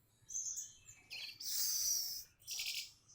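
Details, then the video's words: Orange-headed thrush singing in reply to a lure meant to make a reluctant bird sing: short bursts of high, bright twittering phrases separated by brief pauses, with a sustained rich warble in the middle. "BURUNG ANIS MERAH MALAS BUNYI COBA PANCING DENGAN INI GAK NUNGGU LAMA LANGSUNG RESPON"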